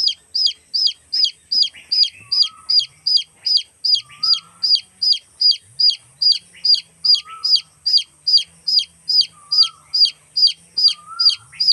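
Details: Baby chicks chirp while looking for their mother: steady, rapid high peeps sliding downward, about two and a half per second, with an occasional lower short whistle and a constant faint high-pitched whine underneath.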